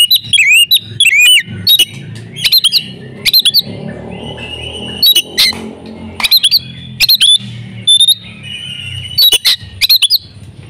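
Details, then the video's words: Female oriental magpie-robin in breeding condition, calling to prompt males to sing: swooping whistles and sharp chips in spaced bursts, over a low steady background rumble. "pancingan kacer jitu "AUTO" kacer bisu langsung gacor ngobra \\ kacer betina birahi"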